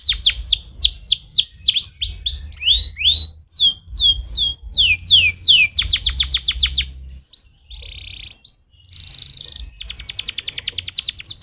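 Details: Canary stimulating song: rhythmic descending whistled sweeps about two per second, slower curved notes, a fast trill, then quieter buzzy bursts and a final rapid rolling trill.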